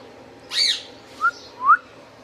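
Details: Indian ringneck parakeet in captivity lets out a single shrill squawk followed by two short, soft upward whistles in close succession.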